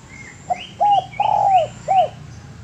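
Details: Spotted dove singing on a master recording for training birds: a low hollow coo phrase ending in a drawn-out rough coo and a short final note, overlaid by about five higher, brief rising whistles from another bird.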